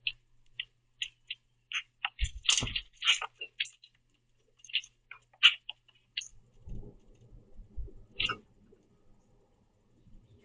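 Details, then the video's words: Several common grackles squabble over the last sunflower seeds in a backyard platform feeder, chasing and pecking each other, giving short, harsh chack notes in an irregular run with sharp tapping and clicking; handling rumble toward the end. "Grackles Argue Over The Last Seeds In The Feeder"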